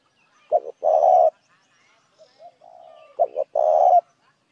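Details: Dove lure sound from a spotted dove: two phrases, each a pair of brief notes then a long coarse coo, with a faint smoother coo drifting in the pause between them.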